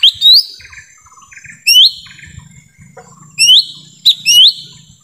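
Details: Lesser green leafbird lure call recorded in forest, used to attract wild birds: bright rising whistled notes around high pitch, in pairs and short bursts, separated by pauses, with faint low rumbling and scratchy background noise.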